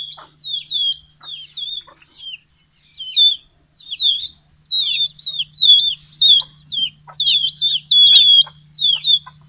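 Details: Flock of young and adult chickens at morning feeding time after leaving the coop, Betbari, Mymensingh, 6 October 2018; dense runs of high, sliding peeps growing busier toward the end.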